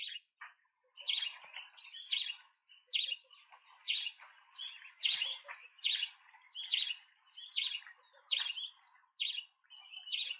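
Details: Large speckled pigeon chicks at a nest in Pretoria, South Africa, on 28 September 2024, during feeding, give high, squeaky, wheezing begging notes in quick bursts, about one a second, with a softer murmur underneath.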